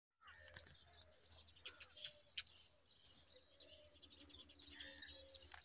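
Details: Brown rock chat chicks heard while an adult feeds them worms. Thin, high, sharp chirps come scattered and irregular, growing louder and more frequent toward the end, with a faint low hum underneath.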